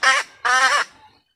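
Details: Female red junglefowl calling, used to lure junglefowl: two short, nasal, honking notes a fraction of a second apart, harsh and rich in overtones, then silence.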